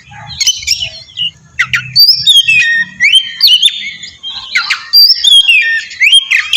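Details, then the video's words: Oriental magpie-robin singing as a lure to trigger a reply from untrained birds: harsh squawky notes mixed with bright whistles that sweep up and down in short phrases, over a faint low rumble. "suara pancingan burung kacer ampuh!! buat pancingan kacer bahan dijamin langsung nyaut"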